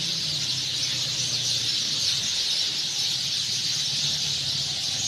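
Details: Sind sparrows gathered in nests at evening, the day over, pour out a steady high chirping chorus; a soft low hum runs beneath the continuous bright wash of overlapping calls.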